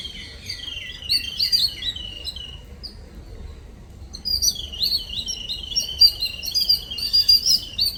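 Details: Small birds, morning visitors, giving bursts of high, twittering chirps for about two seconds, a short pause, then a longer, denser run of sharp chattering notes.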